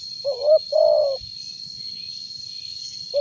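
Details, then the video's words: Loud spotted dove for luring gives one two-part coo, a short wavy note then a longer steady one, followed by silence and the start of the next phrase, with an insect whine in the background. "Tekukur suara besar cocok buat pancingan"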